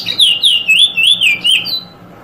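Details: Eurasian Bullfinch giving a drawl call, a drawn-out, wavering piped whistle lasting under two seconds, wobbling up and down before fading, with a faint low hum behind; recorded 2022.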